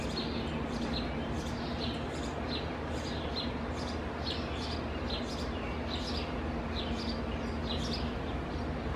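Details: House sparrow pair feeding two babies in a nest in an old Purple Martin house overgrown by tree branches; short bright chirps repeat rapidly and steadily throughout over a constant low rumbling hum.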